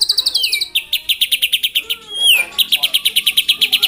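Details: White-rumped shama singing in the morning to stir up rival birds: quick repeated high chips in trills, interrupted by a sweeping downward whistle, then resuming the rapid pulses.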